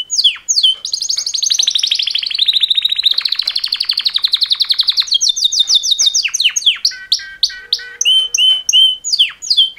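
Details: Two males singing a canary mating call, with a sustained rapid trill drifting in pitch, then varied sweeping notes and a steady series of repeated whistled chirps.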